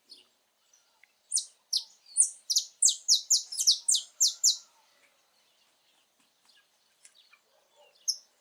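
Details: Free-living saffron finch in natural habitat delivering a short burst of bright, rapid downward-slurred notes lasting about three seconds, followed by near silence and one final sharp note.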